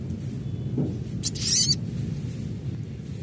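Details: Adult crimson sunbird call in a natural setting: one brief, dense burst of high, rapidly zigzagging chittering notes, with a low hum underneath.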